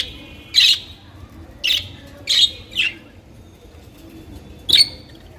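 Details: Colorful budgerigars give single raspy chirps spaced irregularly, four calls in about two and a half seconds, then a gap before one sharper, ringing chirp near the end.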